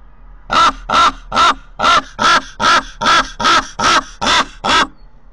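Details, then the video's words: Raven at a nest in Corbera de Llobregat, Barcelona, recorded by a nest camera. A long run of eleven coarse, croaking calls follows in a steady, rapid rhythm. "Visitants del niu - Corb - Corvus corax"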